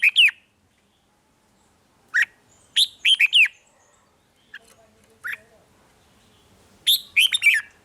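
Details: Caged red-whiskered bulbul song, played in Thailand to excite other birds: repeated bursts of quick, clear, slurred whistled notes separated by silences, with a few faint softer chips between.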